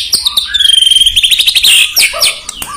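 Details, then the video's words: White-rumped shama, locally murai batu, singing to provoke rival birds: a long high whistle followed by a rapid stuttering trill, then short sharp chirps and lower notes. "PUTAR SEBELUM GANTANG untuk Pancing EMOSI"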